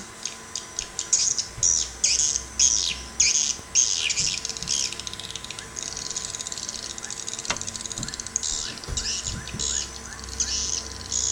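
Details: Swiftlet sound in Sabah: rapid series of sharp, high, rasping chirps in pulsing bursts about twice a second, later softer, thin clicking notes over a low constant hum.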